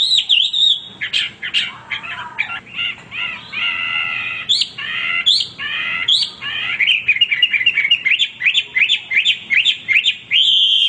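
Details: Male Hwamei singing nonstop in a rich, varied stream: slurred whistles, rising and falling phrases, and quick repeated chirps, with bright notes that climb and drop sharply, delivered loudly with barely a pause.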